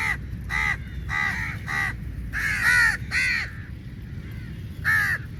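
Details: Crows in a large flock fighting for meat, giving about seven harsh, nasal caws, some doubled and drawn out, in an irregular series against low background noise.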